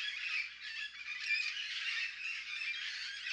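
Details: Wild Puerto Rican parrots in Río Abajo State Forest, Utuado, Puerto Rico, after Hurricane María, give harsh, raspy squawks that run together into a steady, grating chatter, with no other clear sounds.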